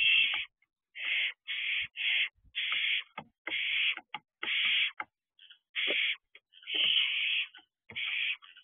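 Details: Young barn owl practising wing flaps at the entrance of an owl box, evening of 13 June 2023; a dense run of rasping hiss-screeches, some clipped short and some drawn out, with occasional soft knocks.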